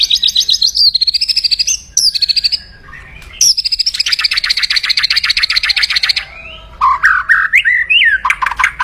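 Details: Aggressive kretekan crackling from a white-rumped shama, used to provoke rival birds: long fast buzzy rattles held high, broken by brief pauses, then a few sweeping whistled notes.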